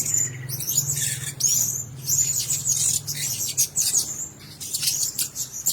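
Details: Blue-crowned hanging parrots kept together in one cage give shrill, thin, high chirps in quick overlapping bursts, with a steady low hum underneath.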